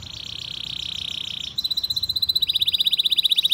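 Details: Singing canary in a lure recording for young canaries learning their song: a steady, dense buzzing roll, then crisp high chips repeated about four per second, changing into a faster bright rolling trill.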